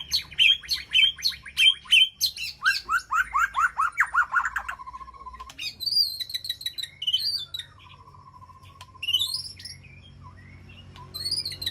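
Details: White-rumped shama in an aviary calling to its flock: rapid repeated whistled phrases, then a run of falling slurred notes, a low steady trill, and scattered high sweeping whistles with pauses between.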